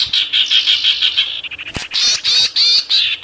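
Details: Sirtu in full song to provoke wild birds: a rapid run of short, high, scratchy notes, about three a second, then louder harsh bursts.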